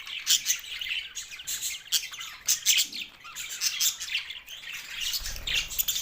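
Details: Eating green Australian budgies give rapid, bright twittering chirps that surge and ease in short bursts, many birds calling together in a continuous happy chatter.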